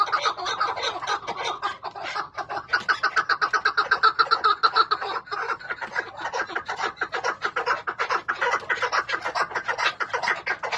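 A chukar partridge gives a fast run of harsh, clucking chuck notes, several each second, building in a rough, uneven rhythm.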